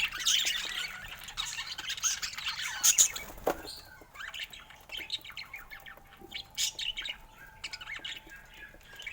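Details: Lively budgerigar squawks and twitters fill the opening seconds, then give way to quieter, spaced chirps and soft chatter.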